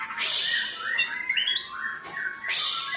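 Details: Oriental magpie-robin lure song for lazy singers: loud harsh scratchy bursts framing a short series of rising whistled notes, delivered energetically with almost no pause.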